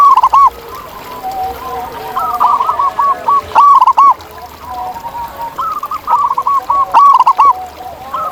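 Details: Wild local zebra doves calling together: bursts of quick, looping staccato coos, each phrase a rapid run of similar notes, repeating several times, while fainter doves answer in the background.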